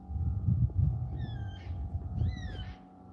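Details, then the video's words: Black cockatoos crying on a rural homestead during a wet-weather walk; two drawn-out, descending wailing calls with harmonics, one near midpoint and one toward the end, over low rumbling handling noise. "Those birds you just heard crying then, they're black cockatoos."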